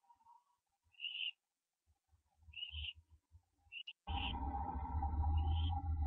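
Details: Barn owl owlet calling at the nest, early morning of 15 September 2011, during branching: three short rasping rising notes, then a sudden loud rushing rumble of movement that masks a final faint call.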